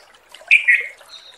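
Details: A wild male sooty-headed bulbul calling to a female near Sancang gives one short, bright, slurred note that drops slightly in pitch. Faint background hiss surrounds it.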